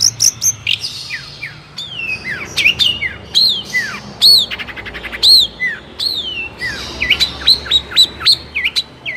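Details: Lively Long-tailed shrike song for training other shrikes to answer: sharp vertical clicks mixed with falling whistled slurs, a few lower notes, then a quick burst of high rising chirps at the close.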